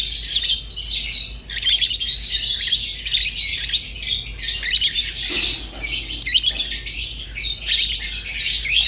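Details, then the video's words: Rosy-faced and Fischer's lovebirds keep up a busy, scratchy twitter of rapid chirps and short squeaks, dipping briefly around five seconds before the chatter resumes at full strength. "تغريد ولا أروع | روز و فيشر غندور بصوت ساحر وممتع"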